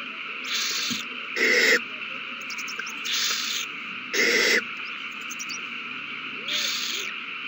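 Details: Owls at the nest in a prey frenzy on 21 March 2020, one having handed over a mouse; five short, noisy, hissing screeches come in an uneven sequence, some stronger than others.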